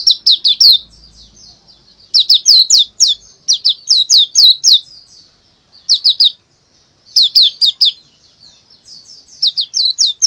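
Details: Oriental white-eye song for luring silent lovebirds into singing. Loud, high, sharp chirps come in quick bursts of four to six notes, separated by short pauses, repeated about every two seconds.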